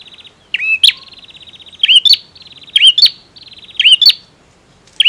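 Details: Lively song from a male bar-winged prinia. A quick dry trill runs continuously beneath piercing paired chips that twist upward, given roughly once a second. The background is clean.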